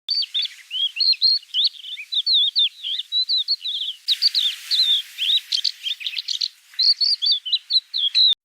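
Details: Crested lark singing a continuous run of clear, varied whistled phrases, high and warbling, with quick slurred notes tumbling over one another for about eight seconds and a slight break midway.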